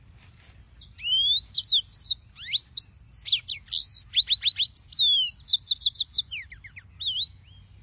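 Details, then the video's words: Singing yellow-fronted canary with a long, energetic phrase of high whistled sweeps, rapid trills of repeated notes and a few swooping slurs, ending in a softer twitter. "Suara Burung - (Serinus Mozambicus) White-tipped Green Singers Singing"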